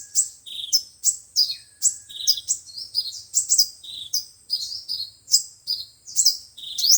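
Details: Sunbird song, five-colour and seven-colour, used to lure birds by speaker for trapping: busy, very high chirping with sharp rising notes, about two per second, and a faint long whistle early on.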